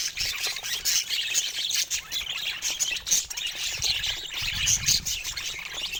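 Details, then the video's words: Dense budgerigar warbling, made of rapid thin chirps, clicks and squeaky notes running on continuously in short loud pulses, with little else audible. "Wellensittiche Geräusche"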